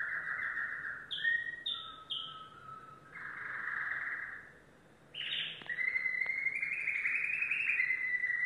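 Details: Domestic canary, yellow bird, singing: three short high whistled notes, a flat low whistle, a rich warbled passage, a pause, then a long loud rolling trill.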